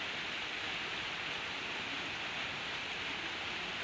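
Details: Constant hiss like heavy rain or static, with no bird voice heard.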